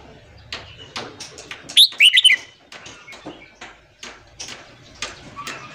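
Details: Red-whiskered bulbul morning singing for training newly caught birds: a brief, lively, chattering phrase of several rising-falling notes near the two-second mark, set among many faint clicks and taps.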